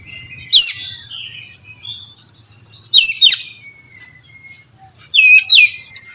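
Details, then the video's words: Oriental magpie-robin giving relaxed 'ngeplong' song to encourage lazy birds to sing: three short clusters of crisp, chirpy whistled notes about two seconds apart, with soft warbling between and a low background hum. "kacer ngeplong santai ampuh buat mancing kacer malas binyi agar cepat rajin bunyi"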